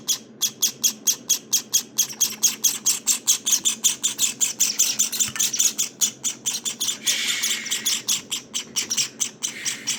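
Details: Day-19 Java sparrow nestlings, getting fluffier, beg with dense, rapid high chirps, several each second, becoming busier and more overlapping partway through as a rougher rasping sound joins in.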